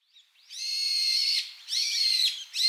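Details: Brown-eared bulbuls trade loud, harsh, high screeching calls in three long bursts, rising at the start, in an evening calling exchange; recorded 9 November 2008 at Ōarai, Ibaraki, Japan.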